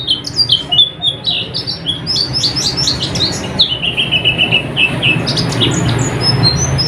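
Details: Oriental white-eye song used for night-time therapy of caged birds: rapid high chatter of short notes, then a steady series of level repeated chips, closing with scattered thin whistles over low hum.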